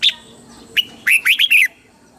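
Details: Caged red-whiskered bulbul from Thailand singing, a southern master-song style used to stimulate and train birds: one short chip, then a quick run of three or four rich, slurred warbled notes.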